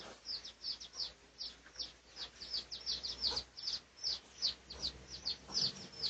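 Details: Red junglefowl of the Thai pradu colour type, recorded for research on 18 August 2023: rapid, high, thin chirps, each a short downward-sweeping note, repeated about two to three per second with uneven spacing over a faint hiss.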